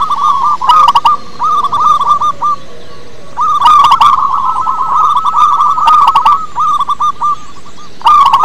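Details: Zebra dove, a local perkutut with a big voice, giving soft, rapid bubbling coos in long rolling phrases, pausing briefly between bursts; occasional sharp clicks in the background.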